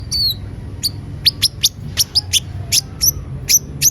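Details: Van Hasselt's sunbird, locally called konin, singing actively: a series of very high, sharp chirps and short descending whistled notes, spaced irregularly about every quarter second, over a low steady hum.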